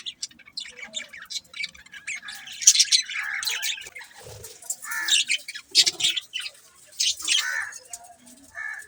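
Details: A flock of budgerigars keeps up continuous warbling chatter: rapid chirps, squeaks and brief squawks overlap, growing busier after the midpoint.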